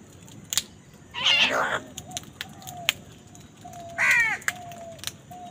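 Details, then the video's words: Crows squabbling with wild birds over food: two loud, harsh, rasping caws about three seconds apart, with faint soft calls and clicks of other birds between them. "Crow Sound কাকের ডাক"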